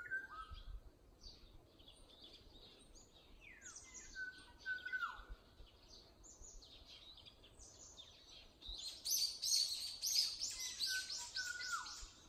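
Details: An unnamed bird singing in early summer, heard daily in a home yard and village lanes. Clear whistles repeat several times, each ending in a falling slur. Other birds give high twittering chatter, which swells near the end.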